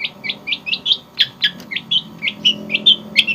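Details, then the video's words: Java long-tailed shrike in lively, clear filler song: a steady run of short, sharp, high chirped notes, about four per second, over a faint low hum. "Kompilasi Kicauan terbaik cendet Jawa gacor full isian jernih"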